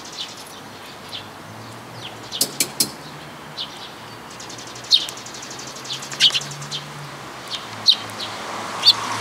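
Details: Sparrow at a Tenmangū shrine, recorded 14 May 2022: short, sharp high chirps scattered irregularly through the clip, a few doubled, over a steady low hum and faint background noise.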